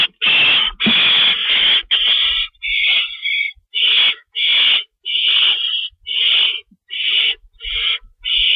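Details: Owl on a live camera at 11:50 PM, March 22, 2012, during delivery of a rabbit; a rapid series of about twelve rasping, hissy screeches in quick succession, each under a second, with faint thumps beneath.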